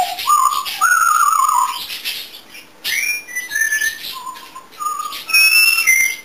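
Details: Indoor pet African grey parrot, which sings and makes many sounds, gives a run of clear whistled notes: steady tones, then a series of short falling and stepped whistles with gaps between them.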